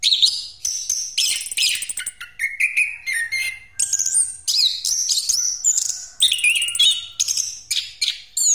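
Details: Rolling full song of a Pastol Orange-headed thrush used as a lure: dense sequences of chattering, warbling whistles and high rattles, delivered in quick bursts separated by brief breaks.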